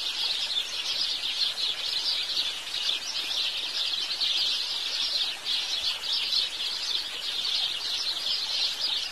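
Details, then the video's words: House sparrows giving a continuous chorus of overlapping chirps from many birds, pulsing without pause throughout. "Canto e videos do passaro pardal"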